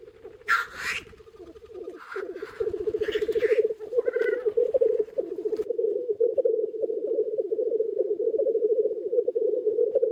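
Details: Many black grouse cocks lekking on the ground in early spring, recorded from a hide, keep up a continuous low, bubbling, cooing drone, broken early on by a few loud, harsh hissing sneezes.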